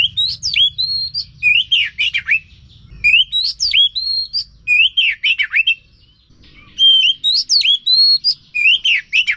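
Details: ['Oriental magpie-robin song intended to get a silent bird singing again. Loud whistled phrases of rising and falling slurs in bursts, pausing around six seconds before a fresh burst of varied notes.']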